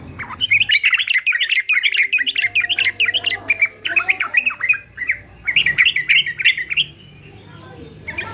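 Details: Fighter-type male yellow-vented bulbul, used as a singing-training model, pours out rapid bubbling whistled notes in several bursts separated by brief pauses, ending in quiet.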